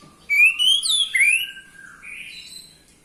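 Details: Orange-headed thrush song for stimulating males to sing: a bright rising whistled phrase sliding upward, then a lower slurred note and a softer fading warble.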